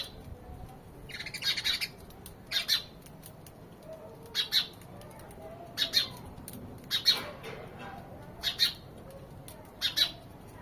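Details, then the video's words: House sparrows giving happy chirps, rapid bright chirp bursts repeated roughly every one to two seconds throughout, some louder clusters, over a low steady background hum. "Relaxing bird chirping sound. (Happy sounds of sparrows)"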